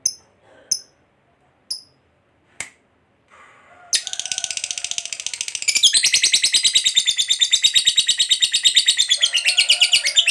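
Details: Lovebird, fighter type, used as a provoking lure: a few sharp isolated chips at first, then a long ngekek chatter starts, a rapid harsh trill of high notes that grows louder and continues to the end.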